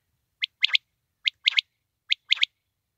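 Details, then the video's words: Quail giving its call, three crisp high-pitched phrases of one note followed by a quick pair, spaced evenly about 0.8 seconds apart in an otherwise quiet background. "batair ki awaz"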